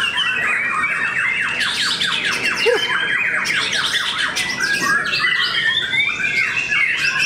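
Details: Contest white-rumped shamas at Cikeas, Indonesia: one bird strings a long fast series of descending whistled notes for about two seconds, while others add chatters and high whistles around it.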